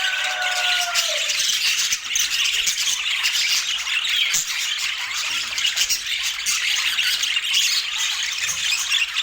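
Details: Rainbow budgerigars kept as pets, eating apple: a smooth falling whistle opens, then steady high, raspy chirping and warbling chatter continues to the end.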